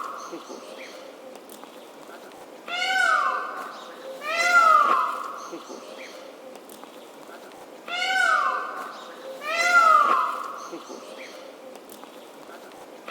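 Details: A displaying Indian peafowl (peacock) with its feathers spread gives loud, nasal, wailing calls that fall in pitch, in two pairs about five seconds apart, over a faint steady background hiss.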